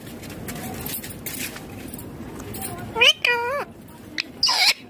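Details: Rose-ringed parakeet sitting on a neem tree outdoors: after three seconds of low rumbling background, a quick series of short, arched, squealing calls, then one brief, higher, harsh call near the end.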